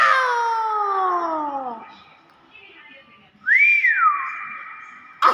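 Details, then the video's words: Nias hill myna giving a loud harmonic call that slides steadily downward, then after a pause a clear whistle that rises, arches and falls, ending in a level tone, with a sharp burst at the end. "BURUNG BEO NIAS SUARA ASLI"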